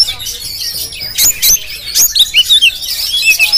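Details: Jampang-type kacer, or Oriental magpie-robin, filmed with a GoPro, giving clear high whistles and short slurred chirps in a fast, uneven series over a soft background hiss.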